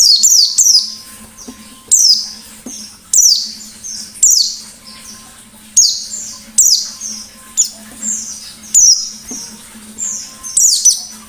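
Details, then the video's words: Lure recording of a white-eye in ngalas-style song: steady run of shrill downward-sliding notes in short bursts, roughly one per second, some doubled, with a quiet low hum throughout. "Burung Pleci Gacor Ngalas Nembak || Pancingan Pleci Ngalas"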